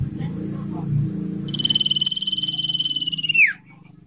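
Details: Ngetir song of a common iora, meant as lure and master audio for caged birds: a fast, steady, pulsed high trill of about two seconds ending in a quick falling slide, over constant low humming background.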